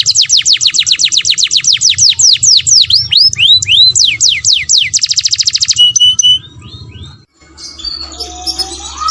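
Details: Canary song used to trigger breeding: a run of sharp falling sweeps, slower looping whistles, a rapid buzzy trill, then fading scattered chirps with light background noise.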